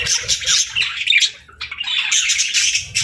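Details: Budgerigar song: raspy, buzzy warbles that run in bursts, dip into a short pause midway, then resume with fast chattering notes.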